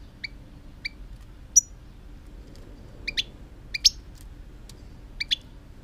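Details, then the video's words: European goldfinch song recorded in 2018: spaced single high chirps followed by paired bright notes, delivered irregularly over about six seconds, with faint steady low hum behind. "chant chardonneret"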